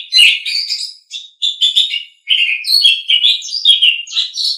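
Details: Asian pied starling song used as a training (masteran) recording: a dense run of harsh chattering and whistled notes mixed with squeaky trills, in bursts of about a second with short pauses, with no other sounds.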